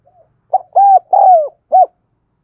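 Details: Lure-bird spotted dove giving its cooing call: a soft lead-in, then a short coo, two drawn-out hollow notes with the second falling in pitch, and a brief closing coo, in a quiet setting.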